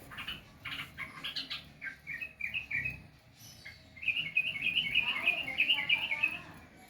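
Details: Sooty-headed bulbul giving clustered chattering notes, then a brief pause and a sustained run of rapid, bright warbled whistles at a steady pace.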